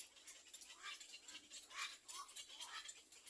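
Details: Little black cormorant chicks waiting for their mother to feed them give soft, squeaky begging calls about every half second, set against constant high-pitched crackling hiss.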